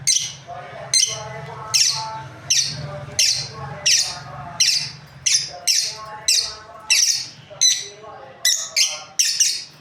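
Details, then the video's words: Captive breeding pair of lovebirds giving a steady series of shrill, harsh chirps, roughly one or two per second, each a bright noisy burst, over a low constant hum and softer lower chatter. "Happy lovebirds chirping sounds| breeding pair"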